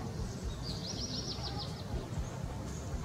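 A European serin gives a brief, very high, fast jingling trill of squeaky wavering notes over a steady low rumble of background noise.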